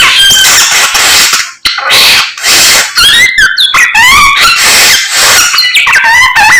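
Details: Samyong in morning song. A harsh, noisy chatter gives way to clear wavering and swooping whistles with fast trilled ripples.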